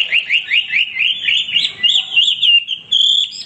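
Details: Singing male hwamei delivering a quick series of looping whistled notes, then longer sliding whistles at a steady pitch.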